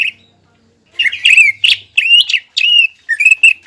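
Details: Greater green leafbird in energetic song used to trigger a rival's aggressive arousal. A brief pause, then loud, slurred chirps and warbling whistles in a quick, varied phrase.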